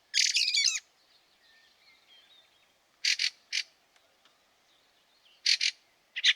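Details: Fieldfare at Liepāja, Latvia, in snowy March 2023, with a rough chattering burst followed by faint thin notes and then spaced harsh double chacks.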